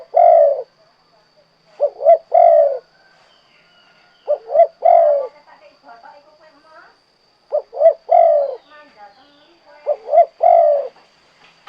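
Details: Spotted dove (derkuku, tekukur) singing the 'kuk 2' style. Low two-note coos each end in a longer note, with the phrases spaced a few seconds apart, and faint chatter and murmuring fill the gaps.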